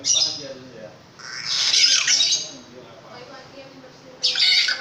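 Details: Long-tailed shrike, a caged bird, giving loud harsh squawking notes in two bursts, a long scratchy phrase near the middle and a shorter rasping burst at the end, with faint voices in the background.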